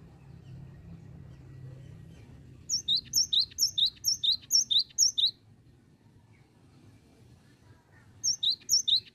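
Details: Cinereous tit (gelatik batu) singing in the continuous 'bocor' style with 'oworr oworr' phrases: a bright, rapid series of paired high whistled notes, the upper note dipping to the lower, about eleven pairs in a burst, then a pause and another burst.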